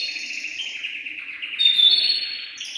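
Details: Excited caged male canary singing to encourage the female to mate, a rapid rolling trill continuing throughout, with a higher bright whistled note added midway.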